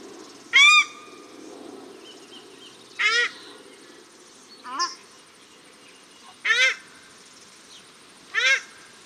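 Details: Male and female paradise shelducks calling at Cornwall Park, Auckland, New Zealand: five loud, ringing, harmonic-rich calls, each short and arched, spaced about two seconds apart over a faint background hum.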